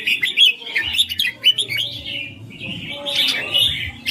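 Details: Caged red-whiskered bulbul singing a clear, melodious stream of warbled, slurred whistles and quick chirps, over a faint low-pitched background hum.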